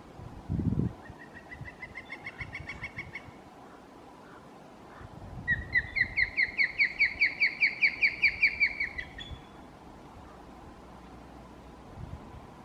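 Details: Young osprey sitting in a nest at Emerald Bay, Lake Tahoe, answering its parent's call: a short chirping series, then a louder run of about fourteen rapid, evenly spaced high whistled chirps; a thump near the start.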